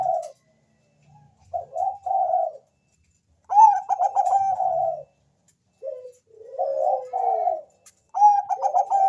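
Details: Zebra dove, Bangkok type, sung as a lure so other doves reply; three soft cooing phrases with gaps of silence, the middle and last opening with a sharper trilled flourish.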